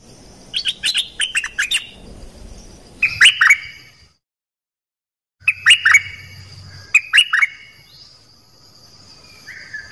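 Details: Dok taeng bird singing, a recording used to train young birds and stir them up: clusters of sharp, downward-sliding chirps separated by pauses and a short silence, with faint background hiss.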